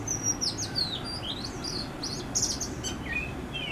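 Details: Oriental magpie-robin from a backyard in Howrah, West Bengal, India: bright whistled notes sliding down then up, a cluster of rapid high chips, and a final falling whistle, over soft low ambient noise.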